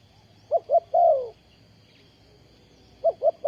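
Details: Ground-decoy spotted dove used to lure wild birds into a trap, 20 April 2020: two quick short coos lead into a long sliding croo, then silence before the next phrase begins with two more short coos.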